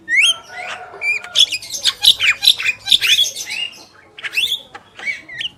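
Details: A male and female black-winged myna give a rapid run of loud squawks and sharp whistled slurs, notes rising and falling in quick succession, then fainter chatter trailing off.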